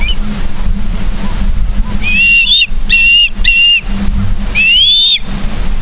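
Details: Osprey calling at Charlo, Montana, morning of 31 August 2023, live camera: three clipped whistled notes close together, then one longer rising-falling whistle, over low steady background hum.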